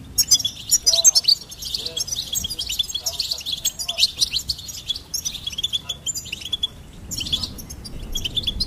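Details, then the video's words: A goldfinch sings a dense, continuous twittering of high, rapid notes with a few buzzy sweeps, with steady low rumble underneath. "Goldfinch Singing and Song Compilation"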